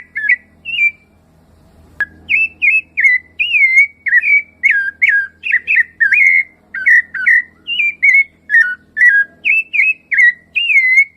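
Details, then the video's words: Rufous-bellied thrush in the wild, singing outdoors: after two seconds of near quiet and a sharp click, a long steady series of rich whistled notes begins, each phrase bending and warbling, repeated about twice per second. "CANTO DO SABIÁ LARANJEIRA SELVAGEM NA NATUREZA"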